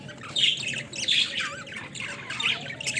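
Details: Pet budgerigars in a cage at play, clear warbled squeaks and wavering whistled notes in short bursts roughly every half second over a soft background hum.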